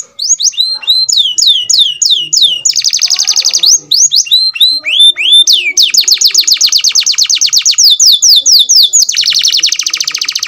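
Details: Bred F1 canary in full song: repeated descending whistled sweeps alternating with long, rapid buzzing trills, very loud and continuous throughout.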